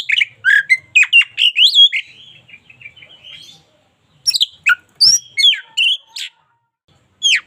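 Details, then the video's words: Oriental magpie-robin, local type, in lively song for daily tutoring: a quick run of varied whistles fading into a softer trill, a short silence, then fresh sharp slurred notes and a final rising whistle. "KACER LOKAL GACOR SUARA UNIK"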